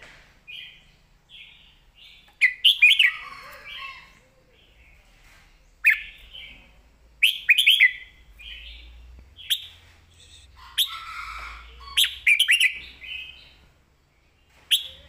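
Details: Caged red-whiskered bulbul delivering a master-pattern song with clear phrasing: loud bursts of three or four rich, rolling whistled notes every few seconds, separated by softer warbling and chattering phrases.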